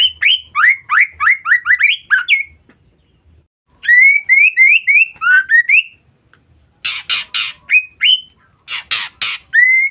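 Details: Female white-rumped shama calling as bait for males. A fast string of about ten rising whistles is followed by a pause and a second run of whistles, then loud raspy bursts mixed with a few whistles.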